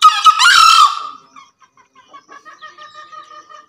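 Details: Javan green junglefowl males, a pair calling vigorously: a single abrupt, rasping crow under a second long, then a faint steady hum with soft ticking sounds.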